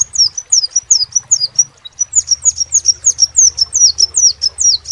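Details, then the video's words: High-pitched, rhythmic chirping of a crimson sunbird, each note a quick falling squeak, repeated evenly with a brief pause near the middle, above a quiet low hum. "SEPAH RAJA TERNYATA MEMPUNYAI KELEBIHAN DARI SEGI SUARA NYA YANG KHAS"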